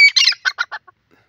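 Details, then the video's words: Black francolin, called sindhi teetar, calling in a forest: a loud harsh grating burst followed by three quick stuttering notes that fade, the whole phrase just over one second. "beautiful sound of sindhe teetar pheasant in the forest"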